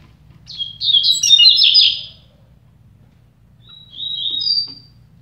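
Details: Double-collared seedeater, one of two birds in a song contest, delivering a rapid, jumbled warbled phrase of high chirps lasting over a second, then a shorter thinner whistled phrase after a pause; low steady hum underneath.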